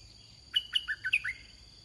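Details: Red-whiskered bulbul singing while used in decoy trapping: one short, lively phrase of five quick chirpy, slurred notes, the first two higher and the next three lower, with a steady high insect whine behind.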